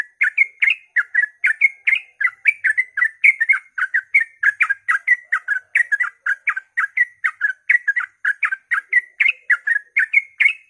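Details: Yellow-vented bulbul giving a long rapid 'ropel' song at dawn, used to stir other bulbuls to sing; over ten seconds of unbroken, evenly paced bubbly whistled notes, roughly three to four per second.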